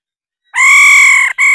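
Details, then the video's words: Female laughingthrush giving its 'ro ro' call: a loud, steady nasal tone held about 0.8 seconds with rich harmonics, cut briefly and then resumed. Background otherwise silent. "khướu mái ro ro"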